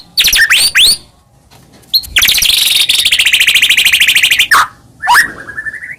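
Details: White-rumped shama song to make other shamas sing: quick downslurred whistles, then a long rapid rattle of repeated high notes, ending with sharp slurs and a rising whistle.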